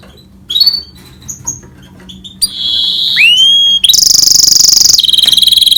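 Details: Goldfinch-canary hybrid song starting with scattered high chirps, then clear whistles, a long upward-curving note, and a loud, very fast high rattle-like trill to the end.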